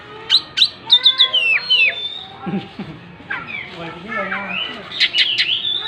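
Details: Oriental magpie-robin in full song with its tail spread, mixing sharp high chips, falling whistles and lower warbled notes in a busy, varied sequence.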